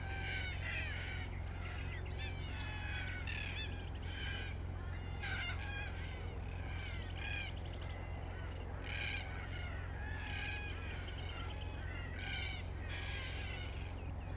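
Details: A flock of red-tailed black cockatoos gives harsh, grating, rolling screeches, several each second and overlapping, over a steady low rumble.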